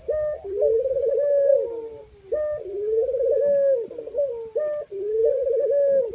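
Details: Barbary doves in a melodious chorus, repeating a rising-then-level mellow coo about every two seconds, with a continuous high insect pulse behind.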